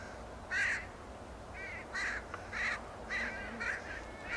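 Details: Northwestern crows calling along the Beluga Slough Trail in Homer, Alaska, near the Alaska Islands and Oceans Visitor Center; a run of six or seven hoarse, nasal caws at uneven intervals, some louder and nearer, with low ambient rumble.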